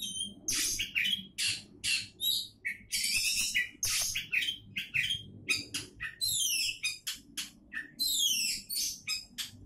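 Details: Oriental magpie-robin, a contest-candidate bird, sings a dense, fast string of bright whistles, chattering buzzes and rising-falling slurred notes, phrases tumbling almost without pause over faint low background hum.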